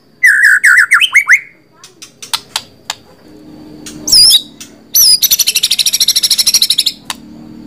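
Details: White-rumped shama singing: a run of clear whistled, slurred notes, scattered sharp ticks, a high upslurred whistle, then a long fast high-pitched rattling trill.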